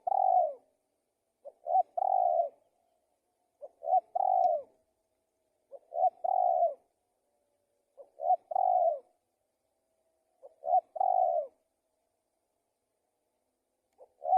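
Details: Spotted dove cooing: each phrase has one or two short soft lead-in notes and then a longer, full, low coo. The phrase repeats roughly every two to two and a half seconds in a quiet setting.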